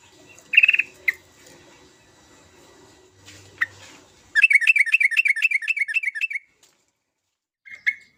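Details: Sooty-headed bulbul in full, vigorous song meant to prompt other bulbuls to sing: a few bright chirps, then a two-second string of about ten quick, harsh, harmonic notes, one last chirp near the end.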